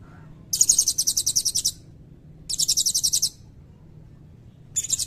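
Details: Long cililin-type fill from a lively singing blue-crowned hanging parrot, used to tutor magpie-robins and kacer: sharp, very high pulsed trills in three bursts of roughly one second, each a fast string of buzzy notes, soft background hum.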